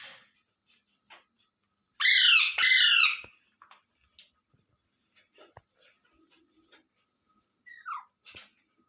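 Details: Two back-to-back harsh, buzzy screeches from a rose-ringed parakeet, each falling a little at the end, followed by scattered soft clicks, rustles and a brief thin descending note.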